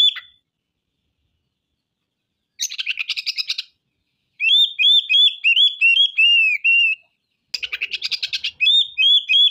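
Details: Oriental magpie-robin (kacer) singing loudly, unloading a repertoire of rough 'materi kasar' phrases; harsh buzzy rattles of rapid pulses alternate with long runs of ringing whistled notes, repeated about three times a second, with one downslurred note ending a run.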